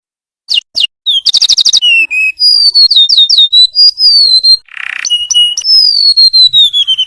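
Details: Golden-bellied gerygone, a small yellow bird, singing for a training recording used to tutor captive songbirds: high, sweet whistles sliding downward, quick chirps, a short buzzy rattle and a longer falling whistle at the end.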